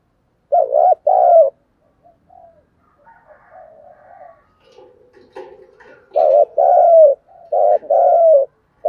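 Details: Spotted dove cooing in the 'thúc gù' style with a deep earthy voice, kept as a lure for wild doves: loud paired low coos, quiet muttering notes in the middle, then a rapid run of four strong coos.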